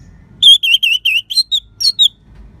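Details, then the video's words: Orange-headed thrush singing a lively, crystal-clear phrase used to rouse listless birds: about eight bright down-slurred whistled notes in steady quick succession, the last few thinner and higher, over soft low rumble. "Gacornya ANIS MERAH Suara Kristal Bagus Untuk Pancingan Burung Lemas ataupun Macet Dijamin Ngelawan"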